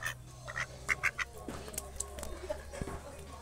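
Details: Quacking from a pet duck, called itik: a quick cluster of short, nasal quacks at the start, then quieter low hum and scattered faint sounds.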